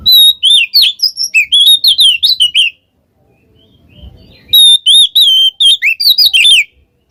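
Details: Oriental magpie-robin singing in the ngeplong ngekek style, used as a lure to prompt a quiet magpie-robin to sing: two bursts of rapid, varied whistled and twisting notes, each about two seconds long, separated by a pause with faint low rumbling.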